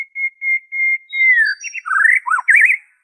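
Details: Original white-rumped shama song free of copied phrases, used to spur caged birds into song: several evenly spaced steady whistles, then a warbling run of rising and falling slurred notes.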